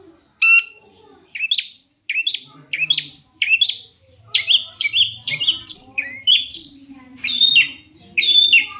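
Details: Long-tailed Shrike singing actively as a lure to provoke other shrikes into replying; a steady series of loud, high, sharp chirps and downward-sliding whistles, about one every half second, growing denser toward the end.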